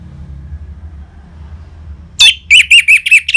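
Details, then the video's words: Orange-headed thrush, ngeplong song used to set off other caged birds: after two seconds of low hum, a sharp rising note opens a fast string of bright whistled notes repeated about five times. "ANIS MERAH Ngeplong Mantap Pancingan Burung Langsung Nyaut Gacor"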